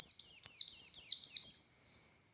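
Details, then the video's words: Oriental white-eye of the buxtoni form in energetic 'ngalas' song with 'tembakan' bursts: a fast run of high, thin downslurred whistles chained together for about two seconds, then silence. "Burung Pleci Buxtoni Gacor Konslet Full Tembakan Ngalas Ngotot Fighter"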